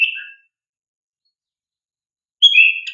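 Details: Oriental magpie-robin song used as a lure for young birds: a short clear whistle fades out, then after a long pause a fresh phrase of sharp whistled notes begins.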